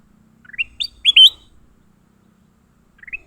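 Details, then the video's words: Leafbird fighting after being caught: a rapid burst of four harsh rising chirps climbing higher, silence, then one softer rising note at the end. "Tarungan Burung hijau"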